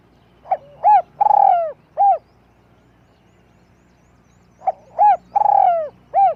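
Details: Spotted dove used as a luring decoy, with a small-voiced coo given in two identical phrases. Each has short opening notes, a long purring coo that falls in pitch, and a short note to finish, over a quiet background.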